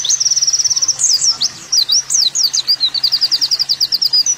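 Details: High-pitched olive-backed sunbird song for masteran: a rapid ticking trill, a burst of sharp zigzag whistles, then another long run of evenly spaced chipping notes.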